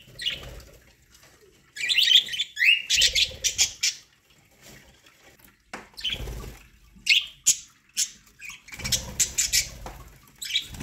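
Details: Pet budgies at a meal of corn chirp in scattered harsh, buzzy bursts amid splashy, water-like background noise and quieter gaps.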